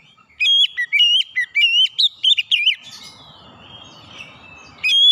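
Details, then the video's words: Vigorous oriental magpie-robin song: a long run of loud, clear whistled notes with quick upward and downward slurs, then a quiet gap before one more ringing whistle. "terapi Kacer bahan langsung ngeplong buka paruh gacor power suara keras"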